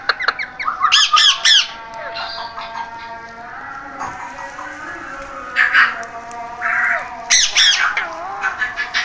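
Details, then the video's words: Parrot producing rapid harsh squawks, then a mix of mumbled, speech-like phrases and higher screeches against a quiet room background. "Amazing Talking Parrot Voice | Beautiful Parrot Sound"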